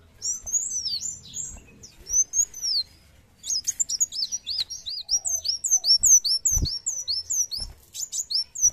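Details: Sunbird in full 'gacor' song: long sequences of high, quick, hooked whistled notes, some down-slurred, pouring out in rapid runs with brief gaps, a few soft knocks in the background.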